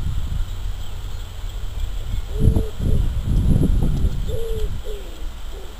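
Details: Wild common wood pigeon in spring, March: a few short, low hooting coos, one drawn-out note, then a pair close together, over heavy low rumbling wind noise with faint high chirps from other birds.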